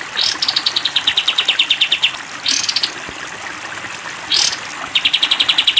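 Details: Cage-bird training recording of a sooty-headed bulbul in 'tembak panjang' style: three short bursts of quick, rattling repeated notes, each opened by a loud rising whoosh, with gaps of soft background hiss.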